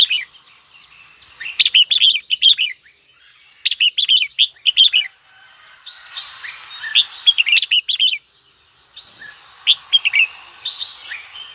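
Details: Red-whiskered bulbul kept as a cage bird, singing to provoke a rival; bursts of rapid, warbled whistled notes in clusters of four to six, broken by short gaps, over a thin constant high hum.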